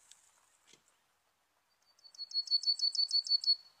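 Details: Serin song used as a trapping lure: after a faint opening tick, a fast series of about ten high, sharp repeated notes runs steadily for over a second in quiet surroundings.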